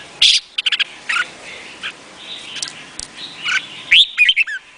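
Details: Red-whiskered bulbul of the Vietnamese type, singing: short bright whistled notes and sharp chirps, ending in a loud upslurred whistle and quick falling notes, over a steady faint hiss.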